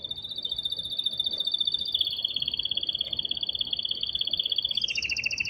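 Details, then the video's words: Excited male canary singing strongly to stimulate the female to mate and for chicks to hear; long, fast rolling trills held steady in the mid-high range, switching to a higher, coarser trill near the end. "تغريد قوي جدا كناري هائج لتسميع الفراخ | canary singing"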